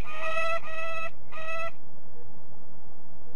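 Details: Peregrine falcon at De Mortel, Netherlands, giving two drawn-out, harsh, strongly harmonic wailing notes of about half a second each, then quiet background hiss.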